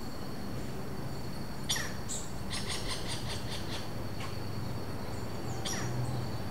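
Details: A pair of robust woodpeckers (Campephilus robustus) at Vargem Grande Paulista, São Paulo, Brazil, in April 2023 give harsh, rasping interaction calls in short scattered bursts, a few clustered together, over a steady high insect drone; no playback used.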